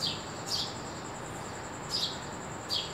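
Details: Early-morning sparrow producing quick, bright chirps, four in three seconds with a long gap between the second and third, backed by a steady high whine.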